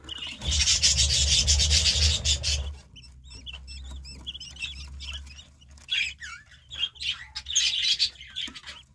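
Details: Budgerigar chicks in the nest: loud rustling and handling noise at first, then clear short squeaky chirps with quick up-and-down inflections, repeated several times a second.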